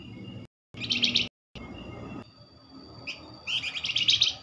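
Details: Flamboyan call played as a quick-response lure for other Flamboyan birds: rapid, buzzy, stuttering chatter in bursts, the longest near the end, over background hiss with brief cuts of silence.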